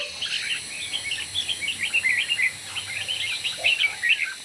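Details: Competition singing by red-whiskered bulbuls at morning, a lively stream of short whistled chirps and slurred notes running throughout, louder toward the end, with steady background hiss.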